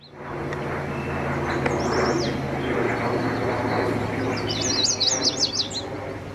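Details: Yellow warbler (Setophaga petechia), song.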